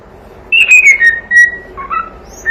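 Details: Young pet cockatiel's song, played to keep a bird company: a high whistle gliding downward, then a steady level tone and a lower rising note after a short pause.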